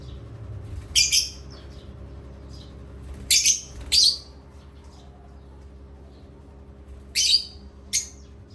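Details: Young pet parrot from Asia during playtime, making five short, sharp, high bright chirps spaced unevenly, some in quick pairs, with a constant low hum in the room behind them.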